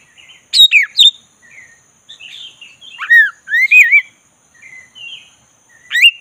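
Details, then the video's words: Relaxed rolling song of a black-breasted Oriental magpie-robin, aimed at provoking a listless bird to sing: two sharp clicks and chips, quiet warbles, then bold wavering whistles and a final upward sweep, over a thin steady high tone. "ngeroll santai!!pancing kacer tak bergairah jadi gacor|kacer dada hitam"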